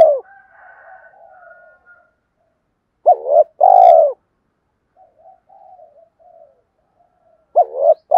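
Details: Spotted dove cooing in the two-ending-note 'gọi hai hậu' style, used daily to rouse decoy birds; deep, rounded coo phrases of a few notes near the start, middle and end, with faint soft murmuring between.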